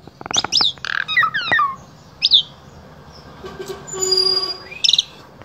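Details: Asian pied starling from Wonosobo, Central Java, Indonesia, singing as a vocal tutor for other starlings; fast run of clicks and sharp falling whistles, then scattered notes and a faint buzzy hum.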